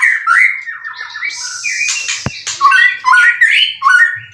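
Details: A caged white-rumped shama, a competition bird with twelve wins and three moults, in Indonesia. It pours out a loud, varied song of rapid whistled phrases and chattering notes, with sharp slurred whistles repeated quickly toward the end.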